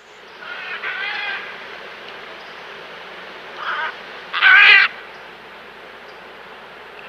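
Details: Great green macaws, an endangered Costa Rican species locally called Gran Lapa Verde de Talamanca, feeding in the wild; harsh, raspy squawks come near the first second, a shorter one around 3.7 seconds, then a loud grating burst, over faint steady hiss.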